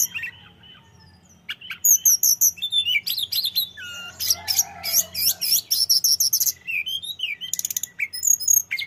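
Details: Sunda robin pouring out a long varied song of high chirps, whistled slides and rapid trills after a quiet start.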